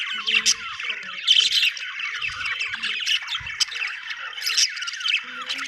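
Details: Budgies chirping and squawking, rapid high warbled chatter mixed with harsher squawks and a few lower notes, several birds calling at once, plus occasional soft knocks.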